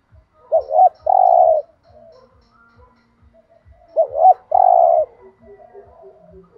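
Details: Spotted dove coos in the thúc gù style, aimed at making other doves answer. Two phrases of a brief doubled hoot then a drawn-out low coo, with a faint, regular ticking throughout.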